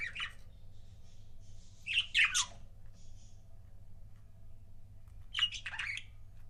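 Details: Budgie couple, pets, trading scattered chirps: short scratchy double chirps and brief raspy squawks separated by quiet gaps, with a faint low hum.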